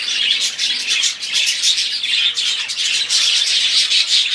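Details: Flock of budgerigars singing: dense, continuous high warbling chatter of overlapping chirps, squeaks and trills from many birds at once, with no pauses.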